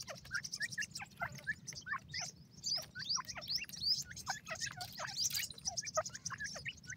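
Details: Grey francolin chicks calling together: a busy stream of short, high, thin chirps and peeps with scattered lower downslurred squeaks, several notes each second, over a faint steady low hum.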